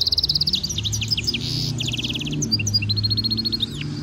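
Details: European goldfinch mule, a hybrid, singing a training stimulation song: rapid high twittering trills and quick repeated notes, then a run of rising whistled notes near the end, over a steady low hum.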